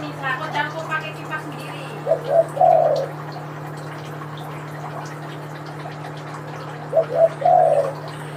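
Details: Example coo of a spotted dove, local or Kelantan tekukur type. A man speaks briefly at the start, then two matching three-note coo phrases arrive about five seconds apart, each closing on a drawn-out note, with steady low hum behind.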